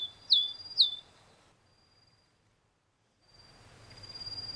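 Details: A male Tristram's bunting (Emberiza tristrami) calls in Taiwan, where it is a rare passage migrant: two sharp, high, thin chirps half a second apart, then, after a short quiet gap, a faint, steady high whine, likely insects.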